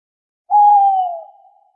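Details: An owl at night gives a single clear, pure hoot, held steady for under a second and then tailing off, in otherwise complete silence.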